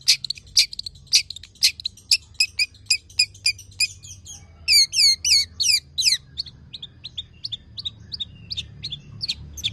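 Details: Tame long-tailed shrike in full song, kept as a trained songbird and used to prompt other birds to sing. High chirps run in a quick irregular series, then a burst of loud rising notes, then thinner repeated chirps.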